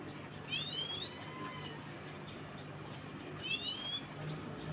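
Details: A young pet Himalayan goldfinch tries to sing, giving two brief bursts of thin, rising, slurred notes about three seconds apart, over a steady low hum.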